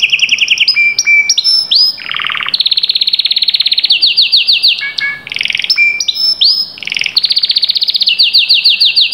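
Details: Canary song meant to motivate a silent canary to sing: continuous, energetic run of high whistles, buzzy rolls and rapid repeated trills, shifting phrases every second or so without pause.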